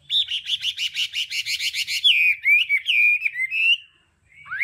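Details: Hwamei song in the đảo âm style, meant for voice training: a rapid train of about fifteen bright repeated notes, then slurred looping whistles and a rising note after a brief pause.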